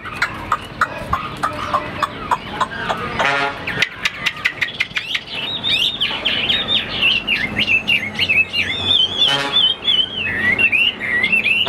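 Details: Caged fighting Chinese hwamei: the first half is dominated by repeated sharp clicks and a rasping burst, after which a long fluid run of fast whistled, warbling phrases follows.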